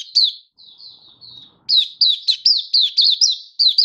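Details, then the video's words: Song display of a captive oriental white-eye: faint high twittering at first, then loud quick chirping notes tumbling one after another at a high pitch. "Mata Puteh Happy Buka Sing"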